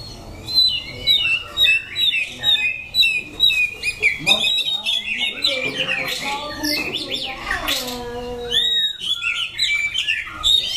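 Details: White-rumped shama from Dak Lak, recorded September 2015: a rich, varied run of whistled and buzzy phrases, mostly high-pitched, with rapid notes and some lower slurred tones mixed in, continuing without a break throughout.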